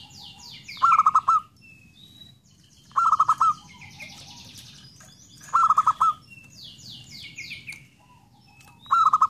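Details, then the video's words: Zebra dove singing four loud bursts of quick, stuttering low coos, each run of about six pulses, spaced roughly every two and a half seconds, while other birds chirp and twitter in sweeping high notes between them. "belajar menggacorkan perkutut"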